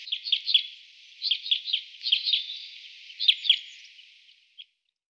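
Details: White-winged (two-barred) crossbill at a bird hide in Emmen, Netherlands, gives quick bursts of dry chipping notes, three to five at a time, in four clusters about a second apart; background otherwise quiet.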